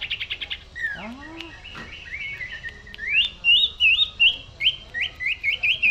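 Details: Common iora singing gacor in cetrekan style. A fast burst of stuttering notes and a low rising slur lead into a long run of bright, bouncing whistled notes repeated roughly three times a second.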